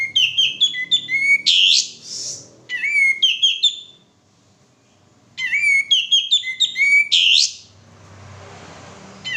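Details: Male sooty-headed bulbul, used as a lure to make birds sing: two long bursts of fast, bubbling whistled notes ending in harsh rasps, separated by near silence.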